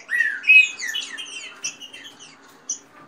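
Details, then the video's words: Green-winged saltators kept in dispute give a short tangle of fast rain-song phrases: a rising whistle, a clear level note, then overlapping down-slurred notes and high chips fading out. "trinca ferro canto rápido com macheado de fêmea e canto de chuva"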